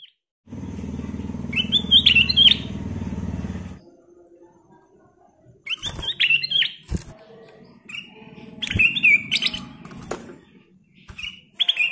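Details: Black-capped bulbul (kutilang emas) singing busily in a gacor style rich in varied phrases: short high whistled and warbled bursts repeated in quick clusters, preceded by a loud low rumbling mechanical noise, with faint room sounds between phrases.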